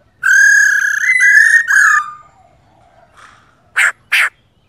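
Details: Female laughingthrush giving a rolling 'ro' call meant to stir males into singing: a two-second nasal, harmonic-rich rattle of fused notes, then two short harsh bursts after a pause.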